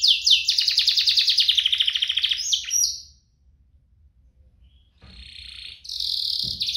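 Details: Canary, part of a pair of vigorous singers meant to coax caged canaries into song: a dense rolling trill for nearly three seconds, a short pause of near silence, then steady buzzy and whistled tones return.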